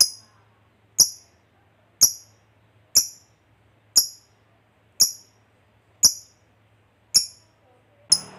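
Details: Lovebird ticking ('ngetik') as a lure to provoke fighter lovebirds: sharp, very high single chips repeated about once per second, nine in a row, with a faint low hum behind and a brief rustle at the end.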